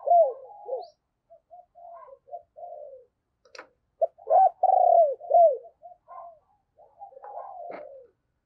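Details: Spotted dove used as a decoy to attract wild doves gives bursts of short, low, bending coos, with a loud cluster in the middle and a few faint clicks.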